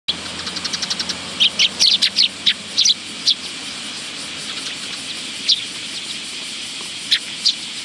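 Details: Willow tits visiting a feeding spot on a bench at a Tenmangu shrine, 10 August 2022: a quick run of high, thin chirps early on, then scattered single sharp notes separated by pauses.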